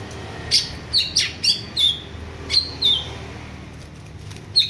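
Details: Greater green leafbird, trained for contests, giving clear, high whistled chips and short slurred notes at intervals of under a second, with a faint low hum behind.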